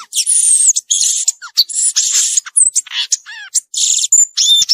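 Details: Violaceous euphonia singing in the wild: a rapid, varied medley of high chattering notes, buzzy bursts and thin whistled slurs, with short gaps between phrases.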